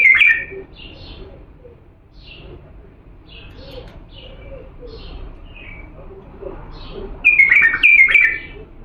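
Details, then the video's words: Diyala bulbul song for training young birds: a loud whistled note at the start, a series of thin, falling high chirps, then a rich, bubbling warbled phrase near the end. "تغريد بلبل ديالى الاصيل لتخريج الافراخ بدون اخطاء صوت صافي"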